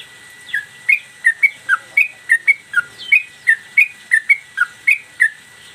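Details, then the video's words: A yellow-vented bulbul in a cage, singing energetically in the mbandul Garuda style with tail play, for master training of cage birds: an unbroken run of crisp whistled notes, rising and falling slightly, about three each second. "Trucukan gacor mbandul satu lagu main ekor dan Garuda cocok buat masteran"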